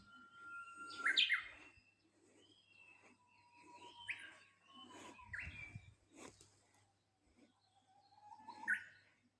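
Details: Japanese bush warbler repeats its phrase: a drawn-out, level whistle that breaks into a sharp, higher, upward-flicking ending. Several other songbirds chirp nearby, with a faint low hum throughout.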